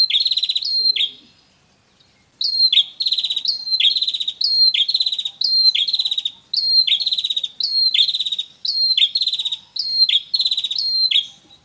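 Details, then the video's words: Paired male and female red-headed prinia, recorded in nature and played as a lure: a long series of repeated phrases, each a bright high note followed by a dry buzzing rattle, about one phrase per second after one short pause. "Suara Pikat Prenjak Kepala Merah Jantan Dan Betina"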